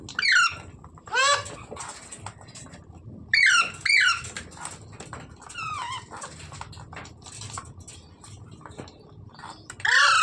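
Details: Parrot giving loud, harsh squawks with sweeping harmonic tones, about six bursts spread over ten seconds with quieter chatter and clicking between them, indoors.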